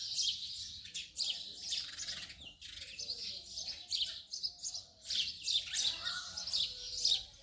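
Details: Busy house sparrow twittering, overlapping chirps almost without pause, several birds apparently calling at once.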